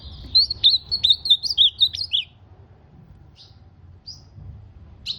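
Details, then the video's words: Ultramarine grosbeak delivering a quick burst of about eight sharp, warbling whistled notes over two seconds, then near silence with a few brief high chirps. "Azulão sem limite"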